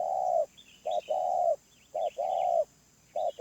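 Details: Loud wild spotted dove with a medium voice: short coo then a long even hoot, the pattern repeated, while small birds twitter faintly in the background.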